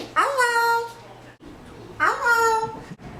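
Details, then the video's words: A 13-year-old male (green) Eclectus parrot, recently adopted pet, says two short, speech-like phrases about two seconds apart, each rising and then holding a nasal, voice-like tone, over a faint indoor hum. "Eclectus Parrot Talking and Making Sounds"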